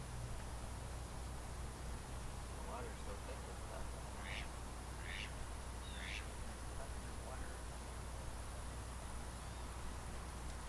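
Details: Wood duck at the Celery Fields, Sarasota, Florida, giving three or four thin, rising squeals about a second apart, over a steady low rumble of background noise.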